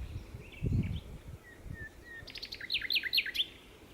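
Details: Common nightingale singing at Berkheide, the Netherlands, on 29 April 2018: a few spaced, slurred whistles, then a fast burst of sharp, clipped notes repeated in quick succession, with a couple of low thumps early on.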